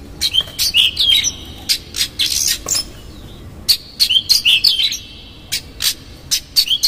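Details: Oriental magpie-robin singing energetically as a lure to provoke another magpie-robin, with coarse fill-in phrases: clustered bright chirps and twisting high whistles in rapid bursts, a short pause midway, then more chirping phrases.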